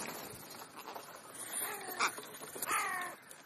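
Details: Crow at a brunch-time feeding giving two hoarse, grating caws in quick succession midway through, the second slightly longer and falling, over a soft background hiss.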